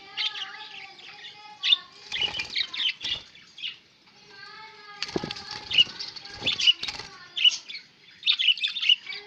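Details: Pet budgerigars recorded on 11 October 2016, warbling in quick squeaky chirps and short tonal phrases, with brief pauses and noisy bursts that sound like wing flutters.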